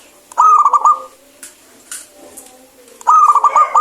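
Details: Zebra dove of a local strain singing boldly, a remedy for birds reluctant to sing: two fast bubbling, staccato cooing phrases nearly three seconds apart, with light knocks in between.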